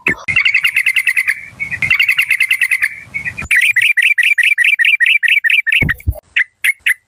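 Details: A Malay-strain decoy yellow-vented bulbul gives long, dense runs of rapid repeated 'rik' notes, followed by a slightly slower, evenly spaced chattering series, with a few scattered sharp chirps at the close.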